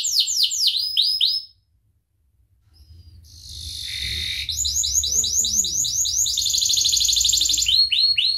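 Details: Canary singing on a master recording for training birds: quick falling sweeps, a silent gap, a buzzy rasping passage, then repeated down-slurred notes and a dense high trill.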